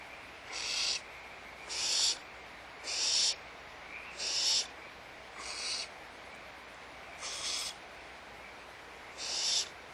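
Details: Barn owls at Audubon Starr Ranch Sanctuary at feeding time give harsh, breathy hissing screeches, each under half a second, repeated about once every second against a faint steady hiss.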